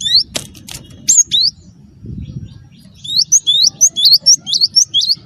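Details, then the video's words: Gelatik batu wingko, a cinereous tit, singing to coax other birds to sing: scattered sharp chips at first, then a rapid run of about ten high, hooked chirps repeated several times a second, over a low hum. "gelatik batu wingko gacor jitu buat bahan ikut gacor ampuh pancing bunyi"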